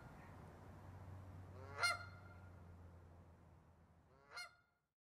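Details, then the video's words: Canada goose honking twice, about two and a half seconds apart, short rising nasal notes, the second softer, with a low rumbling background that fades out at the end. "Cri de la Bernache du Canada/Call of the Canada Goose"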